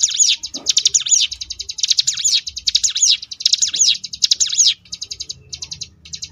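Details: Sunda bush warbler, locally ciblek gunung, giving varied 'ngebrem' song meant for tutoring contest birds: repeated loud sweeping trilled phrases over a fast high buzzing pulse, then short broken bursts of rapid notes.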